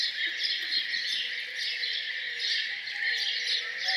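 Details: Birds singing morning songs around a farmhouse: a dense chorus of high chirps and twitters over a steady high hiss, with faint low tonal notes beneath.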